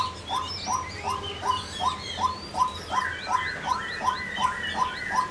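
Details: Female white-breasted waterhen calling; short clipped notes repeated steadily about three times a second, with higher chirping from other birds in the background.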